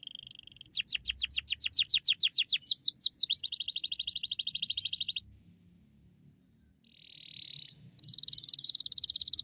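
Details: Canary singing hard in the 'cuit cuit nembak' manner as a lure for other canaries: a buzzy note, a burst of steep falling sweeps, then an even rapid trill, a short pause, and a renewed buzzy rattle.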